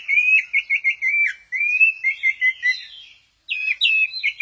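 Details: Orange-headed thrush recorded at Kesamben, shown doing the 'goyang inul': a run of quick, slurred whistled notes repeated rapidly at a steady mid pitch, a brief pause, then higher warbled phrases.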